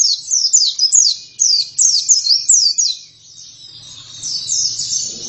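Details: Oriental white-eye singing energetically (gacor), crisp descending high chirps repeated quickly for three seconds, then softer twittering as a low rumble rises in the background.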